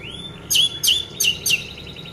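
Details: Orange-headed thrush sound played to coax caged birds that have gone quiet into singing. Four short, bright, high chirps arrive about every third of a second, following a faint rising whistle at the start.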